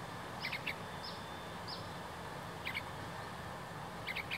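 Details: Juvenile yellow-vented bulbul calling loudly as someone approaches it: short, bright chirps in small clusters near the start, middle and end, over a steady hiss of background noise.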